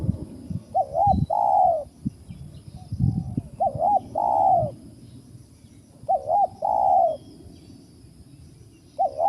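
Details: Cooing of a wild spotted dove during trapping: three phrases, each a wobbling double note leading into a longer, rich, level coo, with dull knocks in the background.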